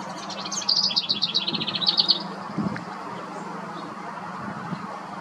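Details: House wren singing in a front yard: a rapid, bubbling burst of high chattering notes lasting about one and a half seconds, then quiet with low background hum and a faint distant chirp.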